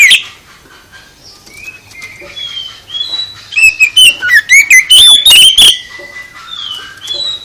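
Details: Song of an oriental magpie-robin, meant to provoke other birds to respond, with soft sliding whistles leading into a loud flurry of quick, sharp chips and warbled whistles, then quieter whistles again.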